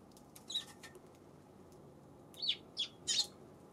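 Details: Eurasian tree sparrow, February 7, giving scattered short high chirps, a few soft ones early and a quick cluster of three louder notes near the end.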